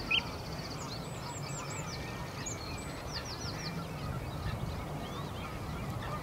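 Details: Bluethroat (Cyanecula svecica cyanecula) singing in Uitkerkse Polder, Belgium, April 2017: a fast, varied run of high, clipped whistles and short slurred notes, with a steady low rumble of wind or distant traffic behind.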